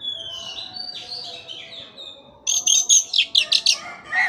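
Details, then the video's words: Oriental magpie-robin singing full gacor phrases meant to train stalled caged birds: soft, wavering warbles give way to a rapid series of loud, harsh, scratchy high notes, then a brief whistle at the end. "KACER MACET TOTAL pasti akan PULIH dan NYAUT dengan dimasteri kacer ini"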